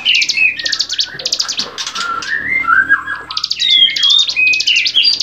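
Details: Songbird training recording of a bar-winged prinia: busy sequence of high rattling buzzes over a rambling whistled warble that rises and falls, with bright slurred whistles toward the end.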